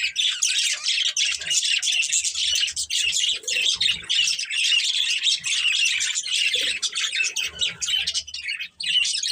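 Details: Budgerigar breeding pair chattering almost without pause: a thick, high, scratchy warble of rapid chirps and twitters that runs steadily through the whole stretch, with soft low knocks in the background.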